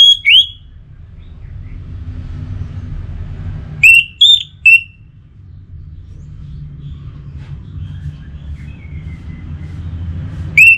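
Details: Orange-headed thrush, a kept songbird, uttering brief pacing-style whistles: a slurred note at the start, three short clear whistles near four seconds, and another at the end, separated by quiet stretches over a low hum.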